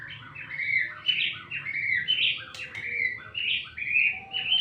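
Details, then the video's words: White-rumped shama singing a rich, continuous run of varied whistled phrases, sliding notes and quick trills, with short bright accents and scarcely a pause between phrases. "Murai Batu Gacoorrrrr."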